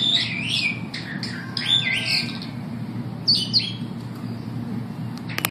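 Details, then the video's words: Superb starlings at the St Louis Zoo, 15 September 2012, give a rambling run of high, harsh squawks, chatters and slurred whistles, bunched at the start and near the end, over a low steady hum. "Superb starlings singing"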